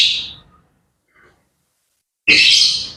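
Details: Grey parrot in the morning giving two harsh, broadband squawks separated by a near-silent gap, with a faint short note in between.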